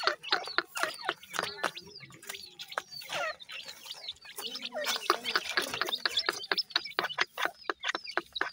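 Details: Irani partridge chicks feeding, giving a dense run of short, sharp chirps and downslurred peeps, some thin and high, others lower and clucking, with rapid clicks of pecking throughout.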